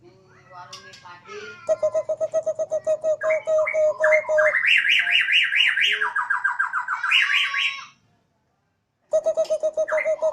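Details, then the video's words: Caged Borneo white-rumped shama on a terrace, its siren-like song opening with a string of even, evenly spaced notes before climbing into loud wailing up-and-down trills. Brief silence follows, then the steady repeated notes return. "Murai odong-odong (BORNEO) dengan penuh semangat si Burung berkicau layaknya suara sirine"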